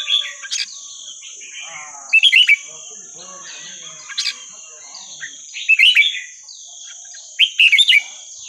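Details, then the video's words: Burmese-style song of a red-whiskered bulbul, used for teaching young birds: short bright warbled phrases repeated about every one and a half seconds, with soft chatter between them and a constant thin high tone behind. "นกกรงหัวจุกเพลงถิ่นพม่า 3-4-5-6"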